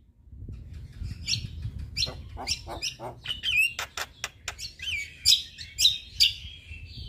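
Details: Singing male Javan myna, played as a model to train other mynas; varied squeaky whistles, clicks and harsh rasps, building to louder sharp whistled notes toward the end, with low background rumble.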